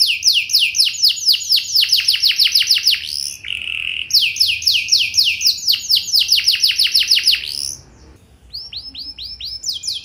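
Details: Canary song used as a lure to draw other canaries into singing back, described as a luxurious song with strong melodic turns; fast bright trills of rapidly repeated descending notes in long bursts, broken by a brief buzzy phrase and short pauses.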